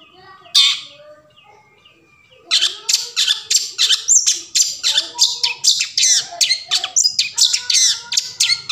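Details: Long-tailed shrike song used to get silent shrikes singing: one harsh call, a pause, then a rapid, unbroken run of scratchy chattering notes with squeaky whistles.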